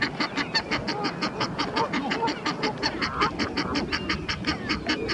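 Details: Fast, rhythmic braying honks from an Egyptian goose urging on its mate during a fight between two males on the Round Pond, each nasal note short and evenly spaced, backed by continuous splashing.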